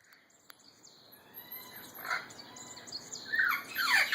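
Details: Two wild parrots in trees behind a house, calling to more parrots in trees on a greenbelt on an overcast morning, phone-recorded; faint distant chatter builds to a few loud, harsh, descending screeches near the end.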